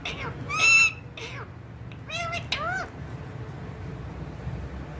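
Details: Talking ringneck parrot kept as a pet, giving a loud harmonic squawk early, then a pair of shorter arching, bent calls about two seconds later, over a constant low room hum.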